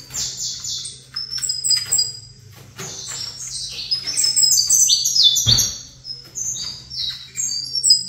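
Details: Vigorous saffron finch song with bursts of stacked, descending high chirps, one loud sharp click in the middle and brief pauses. The bird faces another saffron finch. A low hum is audible throughout.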